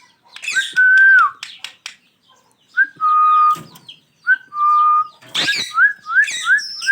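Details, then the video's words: A pair of ringneck parrots calling: long, steady whistled notes, some with a gentle rise, separated by harsh scratchy bursts. The clip ends with a quick run of short upward-sliding whistles and screechy notes. "Natural sounds of ringneck parrot pair"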